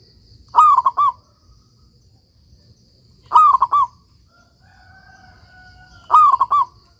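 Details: Local zebra dove (perkutut) singing often, a master recording to get silent doves singing: three cooing phrases, swooping first note and three quick clipped coos, a faint long steady tone between the second and third.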